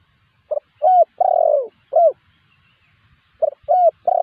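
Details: Spotted dove call used as a lure to draw answers from wild spotted doves: short low coo, a rising coo, a long drawn falling coo, then another rising coo, the phrase starting again near the end.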